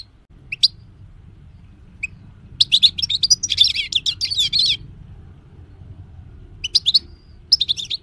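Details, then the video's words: European goldfinch from 2020, sung as a model for other birds: isolated sharp chirps, then a rich rapid twittering trill lasting about two seconds, followed by further bright chattering bursts. "Gold Finch singing 2020|Carduelis carduelis"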